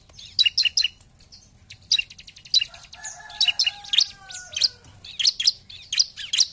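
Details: Bar-winged prinia lure song in gacor style: clustered piercing high notes in quick bursts, broken midway by a few lower drawn-out tonal sounds, then resumed rapid chipping.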